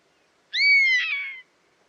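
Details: A single drawn-out cry from a buzzard: a piercing, slightly descending whistle that breaks into a raspy, wavering tail, with no other sounds.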